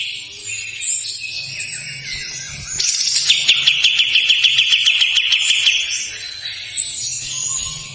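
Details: Kapas tembak begins with scattered scratchy notes, then breaks into a loud harsh trill of rapid, regular pulses lasting about three seconds, followed by softer chatter.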